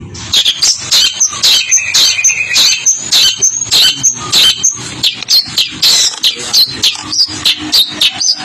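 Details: Caged long-tailed shrike singing a rolling song while dancing as a finger teases it: dense, rapid, high chattering notes with sharp clicks and squeaky whistles, packed almost continuously.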